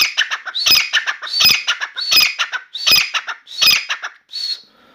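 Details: Indoor Grey francolin, a new bird singing on and on in a room: five strident, high squealing phrases in quick, steady succession, each ending in clipped stuttering notes, then a faint trailing note.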